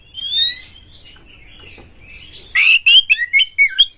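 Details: Prompting song of a white-rumped shama, called kacer, given to make other shamas sing: a long clear rising whistle, a softer scratchy stretch, then loud quick slurred notes and chatter.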